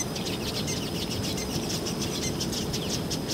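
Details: Male Southern masked weavers displaying at their woven nests to attract females, KZN South Coast, South Africa, October; rapid, repeated high buzzy chirps and sizzling chatter from many birds, over a low background rumble.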